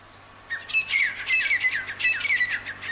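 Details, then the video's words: Wild partridge in the jungle: after half a second of quiet, a run of harsh, ringing squawky notes follows in quick bursts, each note sliding slightly downward, grouped in two phrases. "jangli teetar ki awaaz"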